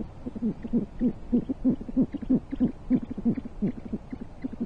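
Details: During a prey exchange at a great horned owl nest 40 feet high in Corona, California, USA, on 14 January 2023, low, clipped hoots pour out in a fast, fairly regular run of about three notes per second.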